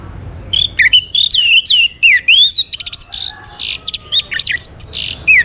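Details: Energetic song of an orange-headed thrush, played to get other birds singing: a continuous stream of swooping whistles, rapid high trills and sharp chips, rich and varied, with a clean background.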